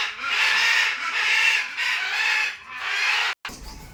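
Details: Harsh, grating macaw squawks, several long raspy calls in close succession, ending abruptly followed by a short quiet pause and faint background noise.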